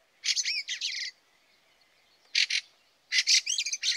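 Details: Fieldfare at a garden bird feeder in Latvia during an unusually early snowy winter in late November 2023 gives harsh, chattering bursts of rapid high notes in three clusters, with quiet pauses between.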